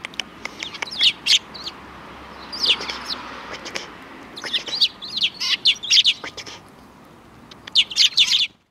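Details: Sparrows by the road to a Tenmangu shrine, Japan, 13 December 2019: clusters of sharp, high chirps separated by short quiet gaps, ending in a final burst.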